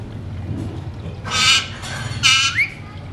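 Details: Pet Alexandrine parakeets, described as talking parrots, give two loud, harsh, buzzy squawks about a second apart, the second ending in a short upward slur, over low background hum.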